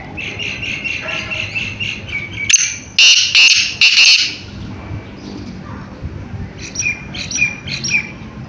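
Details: Caged, excited black francolin giving loud, harsh, grating calls in three quick bursts, after a run of fast, thin repeated notes, with softer chirps at the end.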